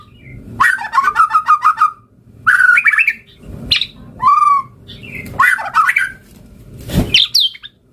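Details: White-rumped shama in varied song meant to lure other birds into answering: lower rich warbles, rattling trills and sweet whistles in separate bursts, ending with a harsh noisy note.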